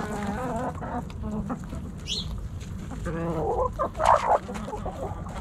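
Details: Backyard hens and roosters snacking at Thanksgiving: bursts of short, harmonic, nasal clucks in uneven runs, with a brief higher squawk near the end, over a low rumbling background.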